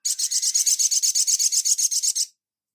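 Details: Sunbird (sogon) master recording for training: a rapid rasping trill of about eighteen very high, even pulses over two seconds, stopping abruptly, followed by silence.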